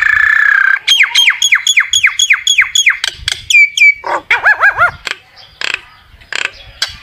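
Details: Common myna singing to call its flock: a series of harsh squawks, then rapid repeated downward-sweeping whistles, gurgling notes and clicks, over a noisy background.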